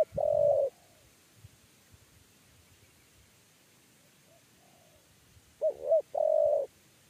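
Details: 'Kuk 3' spotted dove being lured into a trap cage. Loud drawn-out coo notes open the recording. Several seconds of quiet with faint distant coos follow, then a full phrase of two short notes and one long steady note.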